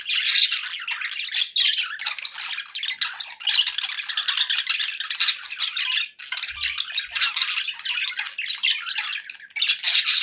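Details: Continuous happy chatter from a group of pet budgies in a small room, rapid buzzy clicks, squawks and warbled notes overlapping without a break, with a brief dip in activity around six seconds.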